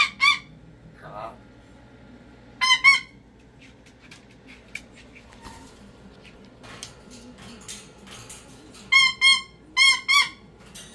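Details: During a pet cockatoo's meltdown, scattered harsh screams open and close the stretch, with quieter, breathy soft sounds and faint clicks between them, then a closing burst of four screeches.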